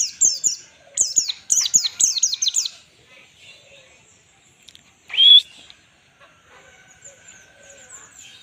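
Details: Pleci (white-eye) in full ngalas song for training other birds: quick bursts of high downslurred chips for about three seconds, a pause, then one loud rising whistle and faint chatter.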